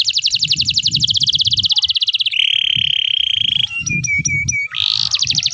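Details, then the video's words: Lively canary song to prompt young canaries learning to sing: a fast rattling trill gliding lower, a steady buzzing note, clipped repeated chirps, then another rapid trill; soft low rumble throughout. "kenari loper super gacor, pas buat pancingan kenari paud yang lagi ajar bunyi"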